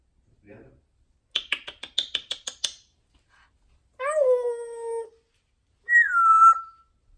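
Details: Indoor pet female parrot produces a rapid series of about eight sharp clicks, then a long voiced, falling speech-like note, and finally a high whistle sliding downward.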